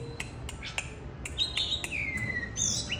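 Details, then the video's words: Oriental magpie-robin male singing while displaying at a house: soft clicks, then a bright whistle sliding down into a long falling note, over low background noise. "Anh chàng trắng đen say xưa múa hát"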